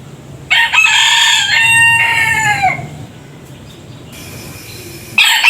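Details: Rooster with its own unique crow, from a compilation: one strong, harmonic crow of about two seconds that sags at the end, followed by quiet and a brief burst.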